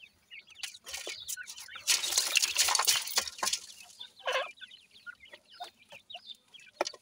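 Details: Grey francolin chicks calling while feeding, quick thin chirps partly buried under a burst of rustling handling noise, then clearer separated peeps.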